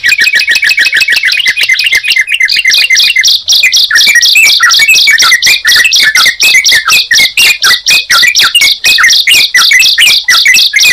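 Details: Bar-winged prinia and yellow-vented bulbul heard together: a dense, fast, high buzzy trill with sharp descending chirps layered beneath, carrying on steadily throughout.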